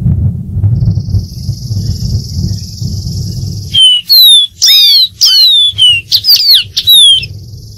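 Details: Dark-throated seedeater singing: a long, high buzzy trill over low background rumble, then a lively run of loud, sharply descending whistles in quick succession, ending with the buzzy trill returning.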